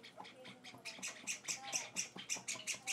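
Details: Young Java sparrows begging while hand-fed in a small room: soft wheezy cheeps that grow louder and more regular over three seconds, with faint speech underneath.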